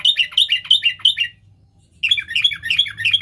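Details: Sooty-headed bulbul used to lure wild birds, singing two quick bursts of bright, bubbly descending whistles repeated about three times a second, with a short silent gap between; faint low hum.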